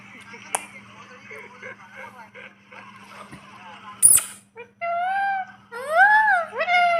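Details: Pet rose-ringed parakeet talking with its owner: faint murmured speech-like sounds, a sharp burst, then loud clear whistled notes that rise and fall, repeated several times.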